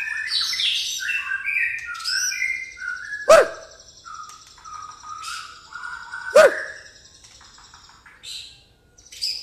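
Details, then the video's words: White-rumped shama singing in the pastol style with fighting-sparrow mimicry: rich whistled phrases stepping downward, rapid chirpy notes, and two sharp whip-like cracks about three seconds apart, followed by softer whistles. "murai pastol isian gereja tarung"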